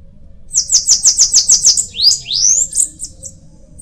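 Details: Bananaquit singing a rapid series of high buzzy ticks, about eight in a row, followed by rising, sweeping squeaky notes that twist upward at the end.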